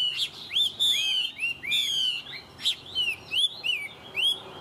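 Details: Loud clear whistling from a tame Chinese hwamei, with slurred downward notes alternating with sharp high spikes, each phrase separated by brief pauses.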